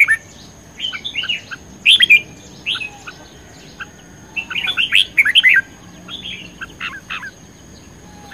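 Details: Red-whiskered bulbul belting out fiery competition song: clusters of loud chirpy warbles roughly every second or two, some quick doubled notes, softer calls between, and a faint constant electronic whine.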